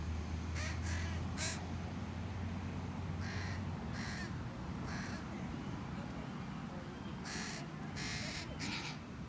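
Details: Northwestern crows in a park, where young crows are present; harsh, rasping caws come in short bursts of two or three, in groups, over a steady low rumble of traffic or machinery.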